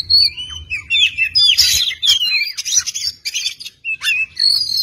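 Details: Oriental magpie-robin, masteran tutor recording: energetic song mixing looping whistled slurs, a harsh crackling burst, quick chattery notes and a final sustained high whistle, with brief pauses between phrases and a faint low rumble early on.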